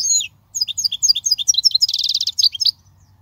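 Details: European goldfinch singing, a song used for teaching young goldfinches: a dense run of rapid, liquid twittered notes with a brief buzzy trill in the middle, continuous for almost three seconds.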